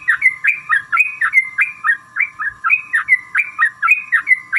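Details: Lure recording of a sooty-headed bulbul to draw other birds into song: lively gurgling phrases, each a quick falling-then-rising pair of chirps, repeated rapidly and evenly, with a low steady hum underneath.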